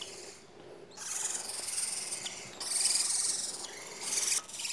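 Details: Four-week-old barn owl (Tyto alba) chicks give long, harsh, breathy hissing snores in three drawn-out bursts, each lasting one to two seconds, with quiet gaps between.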